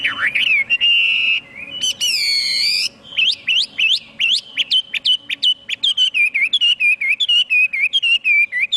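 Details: Chinese hwamei in strong, varied song: sweeping whistles, a held buzzy nasal note, then a fast series of sharp, downslurred whistled notes repeated several times a second, with a faint steady hum behind.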